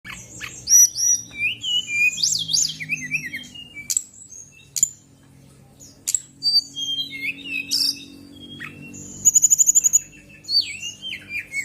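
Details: Female fulvous-chested jungle flycatcher singing a lively, varied run of high whistles, slurred chirps and quick buzzy trills, with short notes tumbling over one another. A faint low hum sits beneath.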